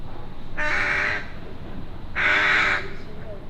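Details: A crow, possibly a subadult begging for food, gives two harsh, drawn-out squawks about a second and a half apart, rough and nasal, over a low background rumble. It was drawn in outdoors while magpies were being fed.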